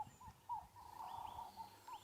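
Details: On a morning safari drive on 12 August 2016, ring-necked doves give soft, low, repeated cooing notes around a thorn bush, with higher whistled swoops from another bird over faint bush sounds.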